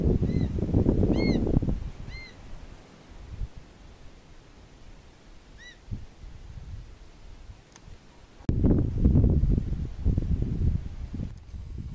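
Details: Young black-chested buzzard-eagle at a rock with a long-standing nest, Aratuba, Ceará. Three high, down-curving squeals come in close succession, then a single call a few seconds on, amid heavy wind noise and handling bumps.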